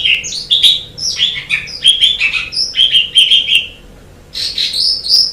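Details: Warbling chatter of an Asian pied starling from a long tutor recording for training birds. Dense, jumbled whistled and buzzy phrases come in bursts with a short pause, over a faint steady hum.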